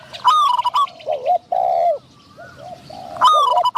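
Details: Decoy spotted dove calling to lure in wild doves, one wild bird noted for its medium-pitched voice. Short mellow coos alternate with higher, sharper whistled bursts, with brief quiet gaps between phrases.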